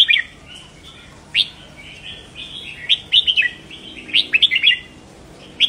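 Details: Red-whiskered bulbul, a caged bird, singing to excite other caged birds: lively run of bright whistled and chirped notes, bunched into quick clusters and repeated through the phrase.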